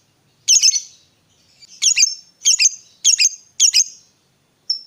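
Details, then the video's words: A fighter lovebird gives five rough, grating chirps in quick succession, each with a fading raspy tail, on a stimulation recording for quiet lovebirds. "Pancingan Suara Lovebird Gacor Fighter ini Aja BOS, dijamin LANGSUNG NYAUT"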